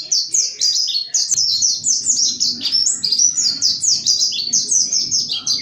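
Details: Energetic mountain white-eye song played as a lure to prompt other white-eyes to open up and sing: rapid cascades of high, falling twittery notes over a faint low background hum.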